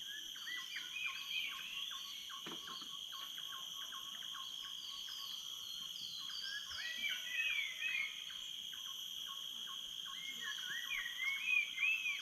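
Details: Dawn birdsong in the jungle at Tanjung Harapan dock, Tanjung Puting National Park, Indonesia: many birds trading quick chirps and upslurred whistles that swell and fade, over constant shrill insect tones, with one brief low knock early on.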